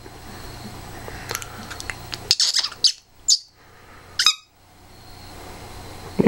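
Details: Pet African grey parrot being silly, giving a few loud, harsh, broadband squawks in quick succession mid-clip, then a last rasping cry at the end, over faint room hum.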